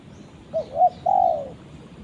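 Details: Calling for its companion, a spotted dove gives two short rising coos followed by a long, slightly falling coo lasting about half a second.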